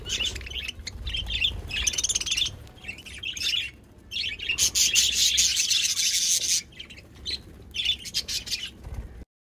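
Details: Budgerigars chattering: bursts of scratchy, high warbles and chirps that come and go, with a longer, denser stretch of buzzy twittering in the middle, over low background rumble.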